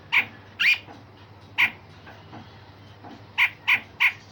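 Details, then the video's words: Grey-cheeked bulbul singing coarse phrases and sharp shots, a song meant for training other songbirds: scattered harsh, scratchy notes, two close together, a lone one, then three evenly spaced near the end, with a faint low hum behind. "Cucak jenggot Besetan Kasar dan Tembakan Tajam"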